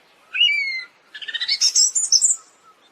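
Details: Siberian thrush singing. A clear, drawn-out whistled note with faint overtones is followed by a short pause. Then comes a quick run of buzzy, twittering notes that climb steadily higher before fading out.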